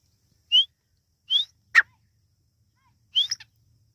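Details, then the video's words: Irani teetar partridge chick sound: a few thin, upward-slurred whistled peeps spaced about a second apart, with one sharper clipped note between them and a faint low hum underneath. "Irani teetar ki awaz | Teetar ki awaz | teetar chicks sound"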